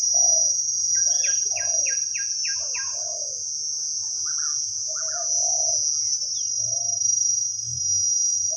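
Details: Big-voiced wild spotted dove cooing khu-ang style at a decoy session: several low, hollow coos scattered through the recording, an early burst of rapid falling chirps from another bird, and a constant high insect whine.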